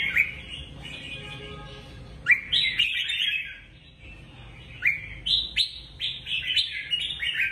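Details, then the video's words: Red-whiskered bulbul gives bright, bubbly whistled phrases, each a quick rising-then-falling warble, repeated in lively bursts with short pauses, with faint chatter of other birds beneath. "นกปรอดหัวจุก นกปรอดหัวจุก เสียงนกกรงหัวจุก"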